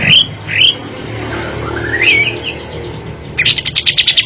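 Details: Kapas tembak performing in 'gacor' style for training other birds: scattered rising whistles and slurred phrases, ending in a quick burst of sharp repeated high notes.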